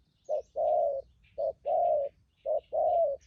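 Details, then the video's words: Spotted dove, a wild-caught bird with a good voice kept for trapping, delivering three even coo pairs, each a brief hollow note and then a longer smooth coo, with quiet background chirping. "Bấy cu gáy bổi thổ tốt tiếng , hàng thúc gù , phóng rước tốt có kèm"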